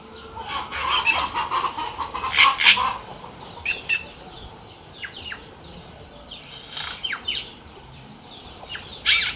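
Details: In nature, a yellow-rumped cacique gives a varied song of gurgling warbles, harsh crackles and sharp downslurred whistles in uneven bursts, with pauses of background chatter.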